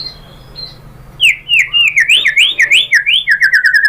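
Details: White-rumped shama song played as a lure to make shamas respond and sing. After two soft high notes comes a rich burst of zigzagging whistled phrases, ending in quick repeated chip-like notes.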